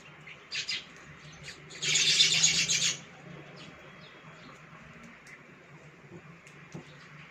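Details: Baya weavers, monsoon visitors at a balcony, give a dense burst of high, scratchy chattering lasting about a second, with a few short chirps before and after over faint low hum.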